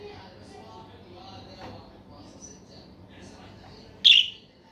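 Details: Budgerigar giving its original chirping song: a soft, continuous warbling chatter of high, thin notes running through the recording, ending with one sudden loud, harsh squawk about four seconds in.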